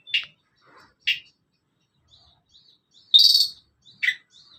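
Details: Sunda Robin song played to train young or adult caged birds: a few separate sharp high notes spaced about a second apart, then a dense buzzy burst and a final chip.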